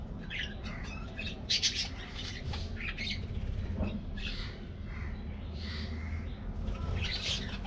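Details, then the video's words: Aviary colony of colorful budgerigars at a morning treat, giving scattered scratchy chirps and short squawks over a constant low hum. "Routine Lifestyles Of Colorful Budgies Getting Morning Diet Treat"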